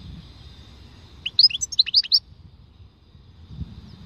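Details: Khalwi-type European goldfinch giving a short burst of rapid, high tinkling twitters, about eight bright slurred notes packed into under a second, set against a quiet background.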